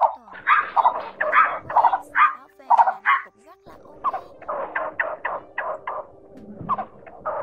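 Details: Blue-bearded bee-eater, male and female calling the flock, a recording used to lure birds to traps: harsh, croaking nasal notes in uneven bursts, about 44 a minute, with a brief pause mid-way and a faint steady hum beneath.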